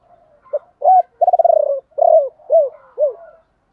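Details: Caged decoy spotted dove singing the ba hậu call to attract wild doves: a clipped note, a strong coo, a fast pulsing roll sliding down, then three descending arched coos.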